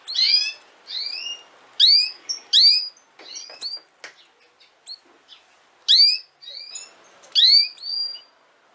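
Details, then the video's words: A female canary calls busily, with dense clusters of high, ringing, downward-slurred chirps. Short clicks and brief whistles fill the gaps. Little else is audible. "chant femelle canari - canto fêmea canário"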